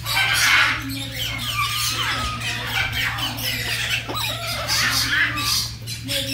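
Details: Red-tailed grey parrot expressing affection to its friend during a visit, giving harsh broad squawks mixed with short whistled up-and-down sweeps throughout, over a steady low hum with faint background music.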